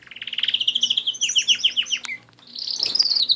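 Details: Canary singing indoors: a fast run of rising trilled notes, then a series of downward-sweeping whistled syllables, a short break, and a high buzzy rolling trill to finish.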